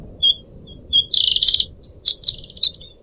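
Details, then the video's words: {'text': 'Pet Pied Triller in full song. Clear high whistles lead into a rapid buzzy trill, then a rising and falling warbled phrase with sharp accents, over a quiet, steady low background.'} "kicau burung decu kembang"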